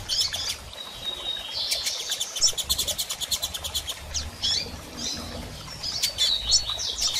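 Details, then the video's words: Calling female double-collared seedeater, meant to stimulate a male to sing after moult: a long, fast series of crisp high chips lasting about two seconds, then scattered single chips and thin whistles. "Fêmea de Coleiro Chamando e Piando Muito - Ótimo Para Estimular Seu Coleiro a Abrir Canto Pós Muda!!"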